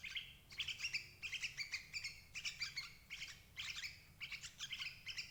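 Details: Calls of a sooty-headed bulbul, used as bait to trap adults: lively, evenly spaced runs of ringing, chattery chirps, steady and dense across the recording.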